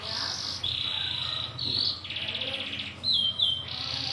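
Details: Local brown canary singing a long rolling song: buzzy, high trills changing every half second, some flat and some slightly rising, run together with hardly a pause.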